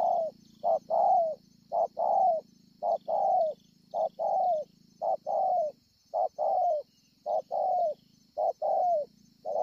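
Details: Spotted dove recorded 25 March 2020 at Ngọc Hồi, a wild-caught bird with a scarred chest, cooing steadily. Repeated two-part coos, a clipped note then a drawn-out falling one, come roughly every second. There is a constant high shrill hiss and a low droning hum behind.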